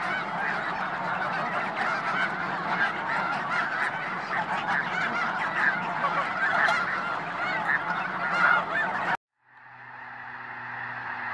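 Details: Snow Geese chorus at the Hayton Snow Goose Reserve, Skagit Wildlife Area near Conway, Washington: about nine seconds of dense, overlapping honking, then an abrupt cut to silence followed by a steady, humming tonal sound.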